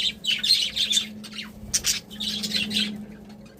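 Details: Happy budgies twitter loudly in quick high clusters of chirps and warbled notes, a short gap in the middle, over a steady low hum.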